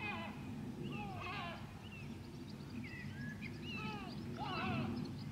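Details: White-tailed eagle at Grönvik, Ornö, 16 July 2024, uttering irregular, quick falling yelps and short rising notes, over steady low-pitched mechanical noise.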